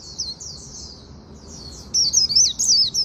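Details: Japanese white-eye singing its 'líu' song in the afternoon: thin, high twittering phrases that start soft and burst into louder rapid zigzag notes in the second half.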